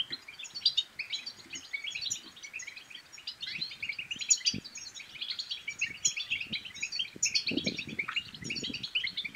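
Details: European goldfinch pouring out a long, jangling twitter of high buzzy and tinkling notes, a song aimed at prompting other goldfinches to sing and mate, with background hiss and occasional low knocks.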